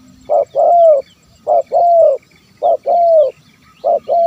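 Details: Zebra dove calling to lure wild birds: a short coo followed by a longer drawn note sliding slightly downward, the pair repeated four times at a steady pace, with faint high chirps of other birds behind.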